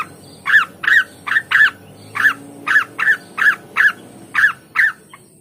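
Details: Blue-winged leafbird giving a string of sharp, harsh, downslurred chirps, roughly three per second with short gaps, over a steady low background hum.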